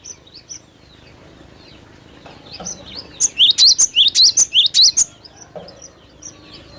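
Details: Glatik batu in full song, recorded as a lure: faint chirps from other birds, then a dense run of loud, high, sharply rising notes lasting about two seconds.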